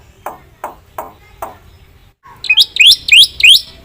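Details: Black-winged myna song with fill-in phrases: four faint low clucks spaced evenly, a brief silence, then loud rising whistled swoops repeated about every third of a second.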